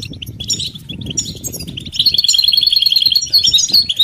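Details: Goldfinch betbeta and setseta phrases used to break a male's silence: a few scattered chirps, then from two seconds a dense rapid trill of sharp repeated notes, roughly three per second or faster, over low background noise.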